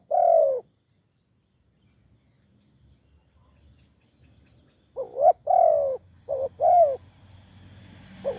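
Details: Deep-voiced wild spotted dove at a branch decoy: one mellow coo, a few seconds of near silence, then a run of short and longer hollow coos with faint low hum behind.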